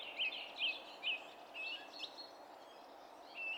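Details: Song thrush singing, filmed 27 April 2016: three clear, short whistled notes repeated about every half second, followed by quieter, varied chirps, with light background hiss.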